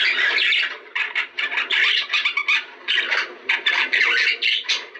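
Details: Budgerigars, kept as cage birds, singing in a recording meant to stimulate mating; a dense, chattering warble of scratchy, buzzy notes in rapid bursts with brief pauses, continuous throughout, in a small indoor room.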